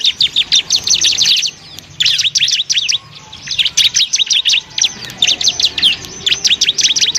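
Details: A master recording of Bar-winged prinia song for tutoring other birds: clusters of fast, high, clipped chirps, a short lull after the first second, then steadily repeated sharp notes in quick bursts.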